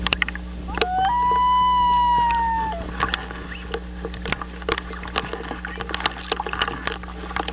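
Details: Loons returning to the nest, recorded on 6/9/2011; one long tonal wail held for about two seconds, level then gently falling at the end, followed by scattered sharp clicks over a steady low hum.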